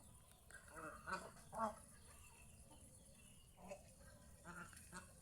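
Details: Geese kept at home, out enjoying the fields around the house: a few short nasal honks in the first two seconds, then fainter scattered calls over a quiet outdoor background.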